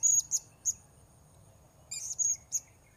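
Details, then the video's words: Shrill, thin, high notes from a blue-crowned hanging parrot during a session luring wild birds, three quick notes, a pause, then a tighter cluster of four. "Memikat Serindit"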